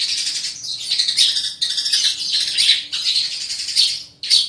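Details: Long-tailed shrike pours out a continuous scratchy, chattering song of rough high notes in long rolling phrases.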